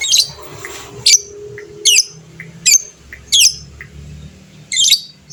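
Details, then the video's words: Lively fighter-type lovebird, its long chattering meant to trigger replies from other birds; six shrill grating bursts at uneven intervals, with soft chirps between and a low background drone. "suara burung lovebird fighter gacor, cepat bikin lawan bunyi bersautan"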